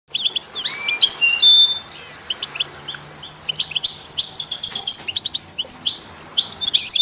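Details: Goldfinches with canaries and mule birds, sung to stimulate other songbirds: rapid high twittering with quick rising slurs and short trills, a quieter pause near the middle, then dense chattering phrases again.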